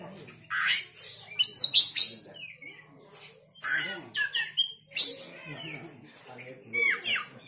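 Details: Oriental magpie-robin, agitated and singing along: dense, loud stream of sharp whistles, buzzy chatter and rising notes with few pauses.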